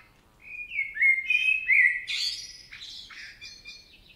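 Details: Male Common Blackbird singing in a forest in Spain: mellow slurred whistled phrases around mid pitch, followed by a higher, scratchy twittering ending; clean recording with no other clear sounds.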